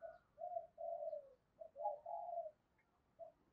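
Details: Spotted dove lure call in the "hai hậu" style: a string of soft, low, drawn-out coos, the longer notes sliding slightly downward, ending with a brief single coo.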